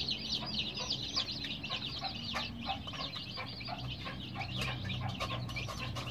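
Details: Colored baby chicks kept under care with a heat source, a crowd peeping together: dense overlapping high, short chirps, many sliding downward, pouring out several per second without pause over a steady low hum.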